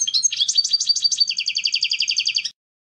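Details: Clean contest song, canto limpio, of a European goldfinch for training novice birds: varied chattering twitters give way to a rapid, regular trill of paired notes, about four per second, ending abruptly.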